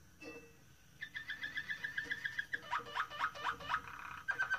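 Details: Moroccan Malinois canary singing: a low, rapid pulsed trill held steady, then a run of quick repeated descending slurred notes, closing in a bubbling rolling tour; faint low background hum throughout.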